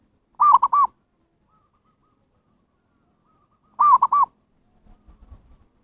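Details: Zebra dove lure call for attracting wild birds: two rolling three-part cooing phrases, each about half a second long, spaced some three seconds apart, with a faint low rustle at the end.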